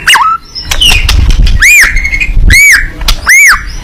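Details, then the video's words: White-rumped shama fighting bird singing with open beak: arched whistled notes rising then falling, repeated at intervals of about a second, with some clicks and low background rumble. "burung murai batu petarung super gacor buka paruh"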